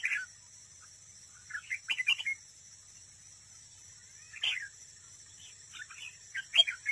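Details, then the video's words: Competitive singing by a decoy red-whiskered bulbul at a trap: clusters of quick, slurred whistled notes, three bursts spread across the recording with silence between. "Cận cảnh chào mào mồi đấu bẫy, hót đấu"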